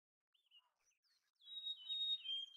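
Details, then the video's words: Mountain chickadee song: after a few faint high chirps, a clear, pure whistled tone that steps down to a slightly lower held whistle, with the clip cutting off mid-phrase. "Canção do Chickadee da montanha! Mountain Chickadee Sounds! Chamada do Chickadee da montanha!"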